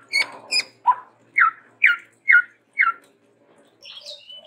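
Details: Chestnut-rumped babbler from Sumatra in lively varied song: two sharp high notes, then a run of six clear downslurred notes about every half second, ending in fainter high twittering.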